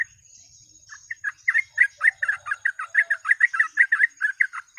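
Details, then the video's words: Lure recording of a sooty-headed bulbul in full 'gacor ropel' song: after a hesitant start, a fast unbroken stream of bright warbled whistles, about two notes per second, with a thin high whine behind. "BURUNG TRUCUK FULL GACOR ROPEL,PANCINGAN TER'AMPUH"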